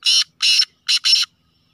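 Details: Black francolin of the Sheedi Gangas Nasal line, called a speeder and chakri wala kala teetar: four harsh, grating buzzy notes of even length in quick succession, with a short pause before the third note.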